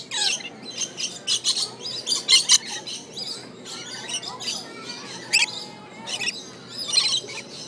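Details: Rainbow lorikeet at the Aquarium of the Pacific, Long Beach, California: rapid runs of rasping, high squawks, some in quick doubled bursts, with lower twittering and short whistled notes woven between them.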